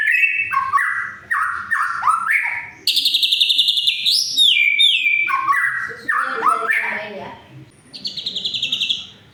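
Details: White-rumped shama in full song to goad mute shamas into singing: loud descending whistled slurs, then a fast high buzzy trill, more downward whistles and a closing rattling phrase, low hum behind.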